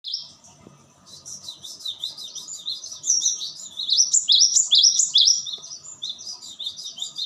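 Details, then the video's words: Cinereous tit singing busy, overlapping high whistled phrases, each note sliding down and then up, repeated rapidly and growing louder toward the middle, with faint low background noise. "Dijamin burung glatik batu langsung respons."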